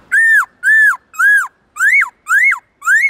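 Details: A Black-throated laughingthrush gives forest-voice song used to train other laughingthrushes: six loud arched whistles, about two a second, the later ones sharper and rising to a peak before falling.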